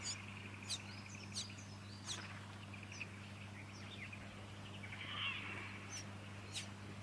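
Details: A Fuscous honeyeater (Ptilotula fusca) in Victoria, Australia, September 2019, gives sharp, high chips about once a second over soft, continuous twittering, with a steady low hum underneath.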